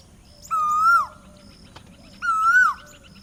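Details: Two loud, clear calls of a male Asian Koel (Eudynamys scolopaceus), the breeding-season call heard in spring and summer, each a half-second whistled 'koo' that swells slightly then falls, about two seconds apart, over faint background hiss.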